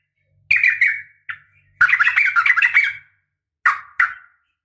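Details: Female sooty-headed bulbul calling a male, a fighting call to make bulbuls respond; harsh, squawky notes and a scratchy chatter, with a faint low hum in the background.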